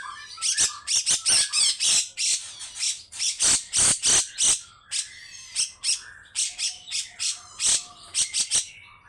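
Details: Long harsh song of a grey-cheeked bulbul, rough and insistent: rapid chains of loud, scratchy, high bursts, about three per second, with a few brief whistled notes between them.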